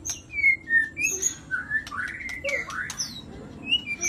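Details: Vigorous white-rumped shama song made of clear separate whistles, some level, some swooping up or down, delivered in a quick, irregular series against a low background hum.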